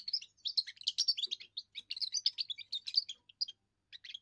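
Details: Young European goldfinch giving its first song, sung to defend territory and attract females: a fast, continuous twittering of bright, buzzy chirps and trills, broken by short pauses near the end.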